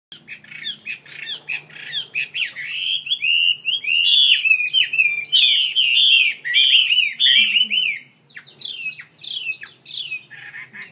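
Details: Pet songbird singing a loud, fast, continuous warble of bright whistled and slurred notes, mixed with sharp chips and squeaky phrases. A soft low hum runs underneath.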